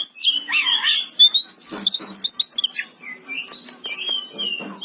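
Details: Energetic gacor song of an Oriental magpie-robin: a loud opening of tumbling whistles and a long rising whistled slur, followed by softer chirps, clicks and thin high notes.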